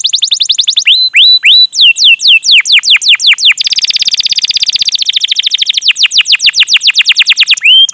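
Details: Canary in full, energetic song, played to stimulate other canaries and tutor young birds learning to sing: rapid series of sharp downslurred 'cuit' chirps, then a dense buzzy roll for about two seconds, then fast repeated chirps again. No other sounds.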